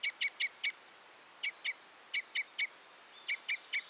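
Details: Red or Common Crossbill sounding clipped, metallic 'kip' notes in quick runs of three or four, separated by short gaps, with a thin high tone faintly behind.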